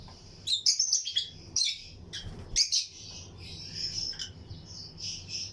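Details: Lutino lovebirds chirping among other birds in a flight colony aviary for breeding: bright, clipped chirps in short bursts, with a continuous high twittering underneath toward the end.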